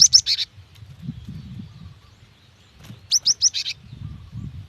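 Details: Female cinereous tit calling a male, used to prompt wild birds to call: two quick bursts of four or five high, sharp chirps about three seconds apart, with soft low rumbling between them.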